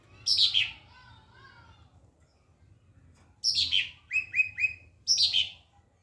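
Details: White-rumped shama training song used to tutor other birds: a loud descending buzzy sweep, a soft lower warble, then after a pause another downslurred sweep, three quick rising whistled notes, and a final falling buzzy phrase.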